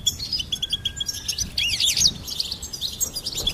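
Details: Goldfinch twittering rapidly in high, bright notes, with a run of short repeated chips and a burst of sweeping, swirling notes near the middle, plus a faint steady whistle in the first second.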